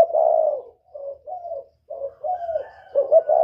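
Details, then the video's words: Spotted dove of the northern Vietnamese type with a whistle-like voice, used to lure wild doves: low mellow coos in a broken series of short and drawn-out notes, a faint thin tone above near the end. "Tiếng chim cu gáy miền bắc kích bổi mới nhất, cu gáy giọng còi, Terkukur"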